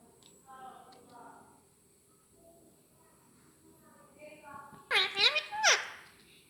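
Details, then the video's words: Pet parrot said to speak Hindi: soft speech-like murmurs at first, then two loud, harsh, wavering word-like phrases near the end, rich in high overtones, over a steady high electrical whine. "Hindi bolta hai yah parrot"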